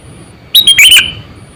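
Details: Single loud phrase from a decoy sooty-headed bulbul, 8 to 9 years old and used for luring: four rapid liquid notes in quick succession, the last sliding down in pitch.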